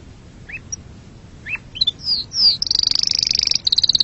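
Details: Canary giving scattered rising chirps and two descending slurs, then breaking into a fast, high rolling trill with a short gap before it resumes.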